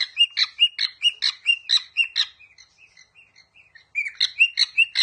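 A cockatiel gives rapid, repeated chirps and whistled notes, pausing briefly before resuming.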